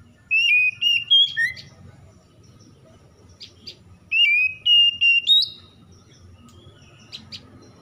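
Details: Oriental magpie-robin dawn song meant to bring stressed birds back into singing: two bursts of clear whistled phrases with stepped and slurred notes, separated by a quiet gap, faint high chips near the end.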